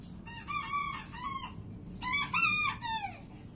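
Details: Crowing from a gold Silkie rooster: two raspy, harmonic-rich crows, each a rising first syllable then a level, drawn-out note that falls away at the end, separated by a short gap, with low rumbling background noise.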